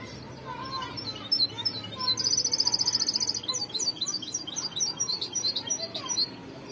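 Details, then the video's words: White-necked goldfinch song of bright, high chirps and twitters, with a loud buzzy trill lasting about a second, followed by a fast run of sharp, varied twittered notes; low steady hum underneath. "تغريد الحسون ابو رقه بيضاء"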